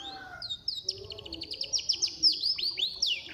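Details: Songbird singing, used to coax caged birds into singing; rapid series of high downslurred whistled notes, some trilled and some sweeping upward, repeated in quick bursts with a faint lower hum beneath.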